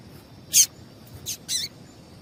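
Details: Calling female Double-collared Seedeater, whose notes are meant to stimulate a male to sing: one sharp, high chirp followed by two softer, downward-curving notes in quick succession, with faint hiss behind.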